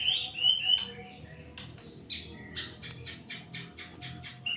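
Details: White-rumped shama giving a few sweet whistles, then a rapid series of sharp clicky notes repeated about four times a second, ending in a bright whistle.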